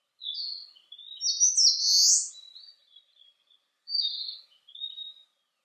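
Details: Eastern crowned warbler on a sunny 19 °C day: high thin whistles lead into a loud buzzy, rising phrase, followed by softer trailing notes.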